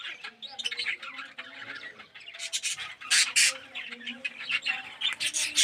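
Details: Red-eyed and yellow budgerigars in an aviary colony; continuous warbled chatter from many birds punctuated by loud harsh squawks, with low hums beneath the bright calls.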